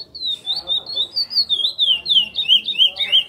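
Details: Chestnut-bellied seed finch, known as curió, in praia song: a brisk, continuous chain of sweet whistled slurs, about three per second, the final notes dipping lower in pitch.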